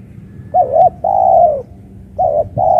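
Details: Captive spotted dove on a pole cage in open ground, calling again after a lost fight, with a voice described as crisp: a wavering note then a long level-to-falling coo, followed by the start of another short note and coo.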